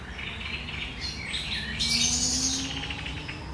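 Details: On 1 July 2020 a great reed warbler sings its sharp, chattering song, a harsh grating run followed by a loud buzzy, rattling burst, with a faint low drone behind.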